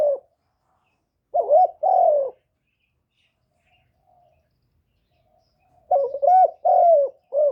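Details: Decoy spotted dove kept in captivity, calling to spur other caged doves; paired low coos, a bent first note and a drawn-out descending second, given in two bursts separated by several seconds of quiet.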